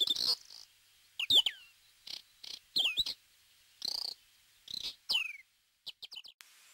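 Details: A Dartford warbler, a rare or passage bird in Corrèze, France, gives harsh, buzzy, scratchy notes, some with quick downward slurs, at irregular intervals, ending in a brief rapid ticking series.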